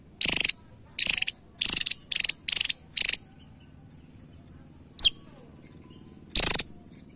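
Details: Javan tesia, a small bird with a sharp voice, calling actively: six short, dry, buzzy rattling bursts in quick succession, a pause, one thin high squeaky note, then another rattle.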